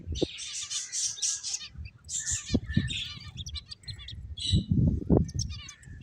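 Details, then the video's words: Finches chirping as they play: bursts of dense high twittering, a pause, then more chirps and single tweets, over low rustling and thumps that grow near the end. "Beautiful Finches Chirping Sounds"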